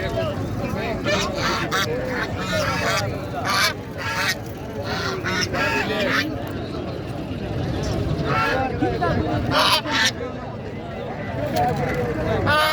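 A flock of guineafowl calls nonstop, a dense chorus of harsh, grating, rhythmic cackles.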